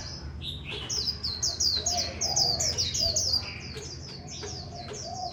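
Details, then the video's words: Japanese white-eye delivering líu bệt song, a rapid chattering series of very high, downslurred whistled notes strung together for about four seconds, with a constant low hum underneath. "Khuyên Líu Bệt"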